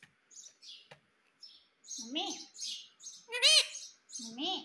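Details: Indian ringneck parakeet kept as a pet, a talking parrot said to say "Mummy Papa" and "Mitthu Mitthu": short high chirps, then louder rising-falling nasal, speech-like squawks in quick bursts, indoors.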